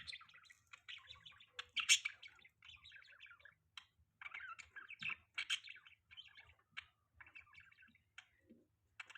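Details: Budgerigars kept as pets, recorded in the morning in mating season: quick runs of scratchy chirps and squeaky warbled notes in short bursts separated by gaps, one louder sharp squeak early on, over a faint low hum.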